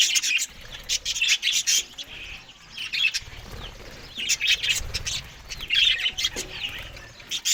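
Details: Morning meal of green food for Australian budgies. Sharp twittering bursts come and go every second or two, mixed with rustling and faint low thumps.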